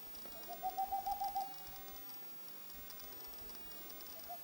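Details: Boreal owl (Tengmalm's owl) giving a quick, staccato run of about six soft, evenly pitched hoots, then a pause and the start of another run, against quiet background hiss.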